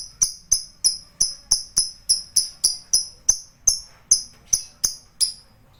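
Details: Lovebird performing 'ngekek panjang', the long trill, heard as a measured series of high, bell-like clicked notes roughly two to three per second, evenly paced, trailing off at the end.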